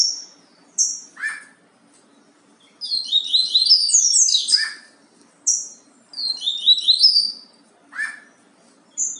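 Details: Yellow-bellied seedeater in Bahia song style: short sharp high chips repeated every second or so, broken by two longer rushing phrases of twittering whistles and buzzy slurs; little else heard.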